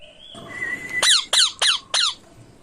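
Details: Ringneck parrots: four loud, harsh squawks in quick succession, each a buzzy burst sliding steeply downward, after a faint thin whistled tone at the start.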